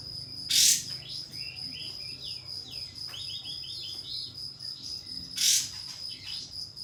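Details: Kapas tembak, the pied fantail, singing as a lure to make rivals spread their tails. Two harsh, loud, high bursts about five seconds apart, separated by many soft, quick whistled arcs over a continuous high tone.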